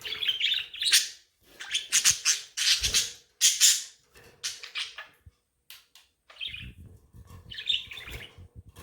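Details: Pet budgerigars chirping together indoors, with bright chattering warbles and sharp tweets in quick bursts, then quieter scattered chirps after a short lull.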